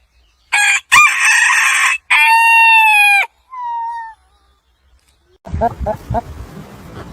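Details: Rooster crowing in the morning: a long, loud, harmonic cock-a-doodle-doo held for about three seconds, then a shorter, lower crow, followed by soft clucking and rustling.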